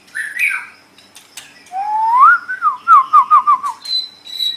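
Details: White-rumped shama song recorded to train other songbirds: a long rising whistle turning into a quick series of about six wavering descending notes, ending in a thin steady high tone.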